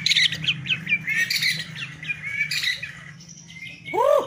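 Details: White-rumped shama song of quick chipping and twittering notes over a faint background hum, ending with a loud arching whistle.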